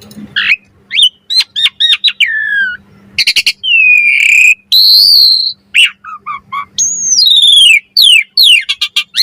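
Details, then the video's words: Asian pied starling varied song for masters and lures: jumbled whistles, fast clicks, long harsh rasps and sweeping falling whistles, with a faint steady low hum underneath. "Suara Jalak Suren Mompa Variasi AMPUH Buat Masteran & Pancingan Burung Jalak Agar Full Gacor Isian"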